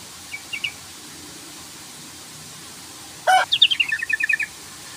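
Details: Yellow-vented bulbul provoking a rival to sing: a few faint isolated chirps, then a sudden loud burst leading into a rapid chattering series of about ten bright notes.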